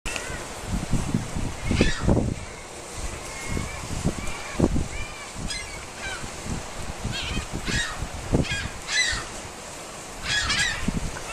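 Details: Gulls being fed, grown overly friendly, give scattered short squawks and a few drawn-out mewing calls among loud bumps, rustling and handling noise close to the recorder.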